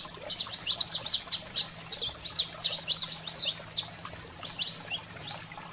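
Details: Fiery saffron finch song for stirring up canaries: dense, quick high chirps in jumbled phrases, loud at first, then thinning into spaced single notes toward the end; a quiet low hum persists.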